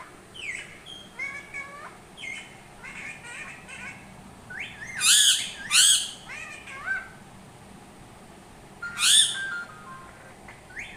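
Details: Parrot mixing short chattering whistles with three loud, rasping squawks spaced several seconds apart.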